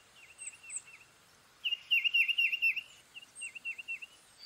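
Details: Tufted titmouse singing clear whistled phrases of quick downslurred notes, a soft run of four, then a louder series of about eight, then three more, with faint high chirps from other birds behind.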